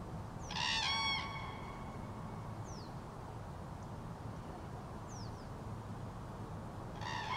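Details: Autumn 2023 recording of common cranes: a loud, rich trumpeting call near the start and another at the close, separated by quiet broadband hiss with a few faint, high, falling whistles from other birds.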